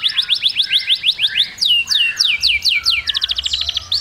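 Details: Canary singing a fast varied song: rapid repeated rising sweeps, then loud descending slurred whistles, ending in a quick buzzy trill; clean recording with no other sounds.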